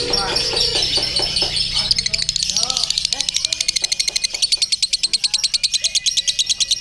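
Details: During a singing contest a lovebird's ngekek builds from a mixed chatter into a sustained fast trill of sharp high pulses, loud and steady in the last seconds.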